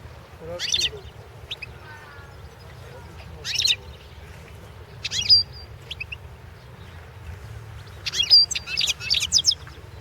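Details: European goldfinch singing in a 2016 world championship goldfinch song competition; scattered bursts of high twittering and buzzy notes separated by pauses, with a low background hum.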